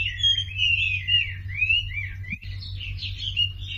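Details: Lure song of a Sumatran leafbird, meant to prompt quiet birds to sing: a continuous high, twisting warble of slurred whistles with a brief break midway, over low background hum.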